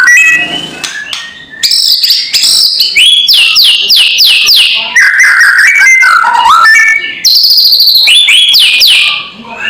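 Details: Loud white-rumped shama kretekan intended to provoke rival birds: series of sharp downward-sweeping whistles repeated quickly, wavering mid notes, then high rapid sweeps, all energetic and densely packed.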